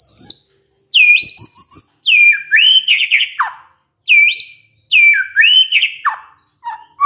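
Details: White-rumped shama singing a lure song meant to make other shamas reply: loud, clear whistled phrases with swooping rising and falling notes, delivered in bursts separated by short pauses.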